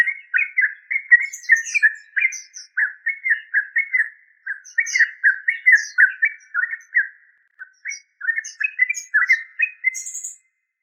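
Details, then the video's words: Trucuk, the yellow-vented bulbul, in a long, lively chattering stream of quick bubbly notes with brief gaps, and faint higher chips from other birds. "Tropical Bird Calls to Relax Yellow Vanted bulbul trucuk"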